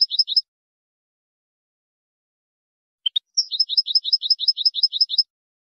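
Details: Goldfinch song, with a short twittered phrase, a pause, two brief clicks, then a rapid string of about ten high double chirps at an even pace, with a clean quiet background.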